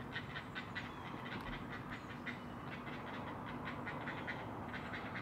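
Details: Great blue heron rookery on Maryland's Eastern Shore, nest camera, morning of 20 June 2018; brisk repeated clicking notes, roughly two to three a second, uneven in strength, above a steady low drone.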